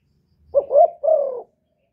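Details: Spotted dove decoy bird used for luring wild doves, from Ca Mau, Vietnam: one coo phrase of a short two-part rising note followed by a longer, slightly falling hoarse coo, clean with no other sounds.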